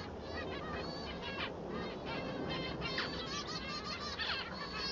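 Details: Male society finch (Lonchura striata domestica) singing a rapid run of buzzy, warbling notes with quick sweeping whistles over steady background hiss and murmur.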